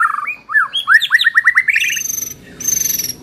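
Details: White-rumped shama singing as a training lure: a run of quick rising whistled notes accelerating into a trill, with a thin very high whistle heard twice.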